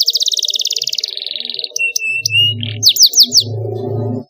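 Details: Canary master song for training other songbirds, in ornate, clear, long-running style: a fast trill of repeated high notes, then a flat whistle, then descending sweeping notes, with a low rhythmic buzzing in the background.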